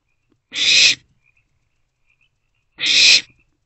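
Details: Owlets in a nest box, three staying indoors on 13 April 2024 in the morning, make two brief, breathy, rasping hisses about two seconds apart in a quiet setting.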